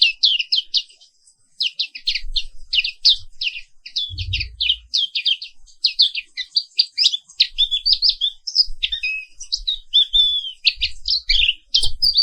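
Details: Black-capped white-eye (Zosterops atricapilla), caged, Papuan origin, in morning song: long rolling run of rapid high chirps and slurred twitters, nearly unbroken for ten seconds, with a few soft thuds.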